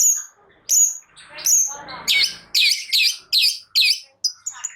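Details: Long-tailed shrike (cendet) song for stirring reluctant shrikes: three piercing high whistles, then a jumble of scratchy notes and a series of loud harsh chattering bursts spaced about half a second apart.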